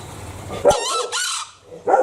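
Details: Green junglefowl from Bali giving a short, harsh, harmonic crow of about three-quarters of a second in two linked parts over low rumbling background, with the onset of another call cut off at the end.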